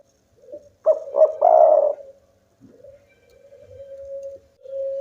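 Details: A local spotted dove in energetic song that is said to draw rivals into calling: one loud phrase of two quick coos and a long rolling coo, then a quieter sustained coo trailing off.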